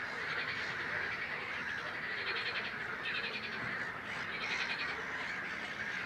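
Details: Great crested grebe of the nominate subspecies, recorded at Het Vinne, Zoutleeuw, Belgium, in May 2016: harsh, harmonic, rattling call bursts in short runs, set against a dense, constant chorus of other calling birds.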